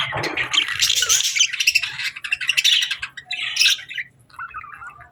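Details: Several budgerigars at feeding time give a busy mix of harsh squawks and rapid chirpy warbling, loudest in the first half, then thinning into shorter twittering phrases.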